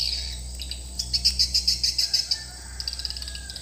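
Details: Swiftlet call played as a lure for a bird house: a quick run of about ten sharp, evenly spaced high chirps, then softer twitters, over a low steady hum.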